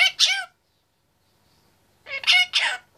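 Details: Male Indian ringneck parakeet, 25 months old, kept in a cage: two brief, bright, speech-like syllables, a silence of about a second and a half, then three more quick syllables.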